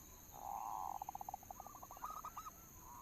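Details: Local zebra dove lure song: a sustained buzzy note runs into a rattle of quick pulses, slowing into a series of rising, hooked coos, then a final soft note.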